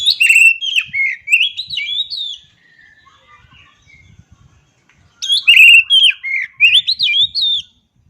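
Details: Two loud phrases of oriental magpie-robin song, each a fast sequence of sharp chips and sweet slurred whistles lasting about two seconds, with soft murmured notes between them.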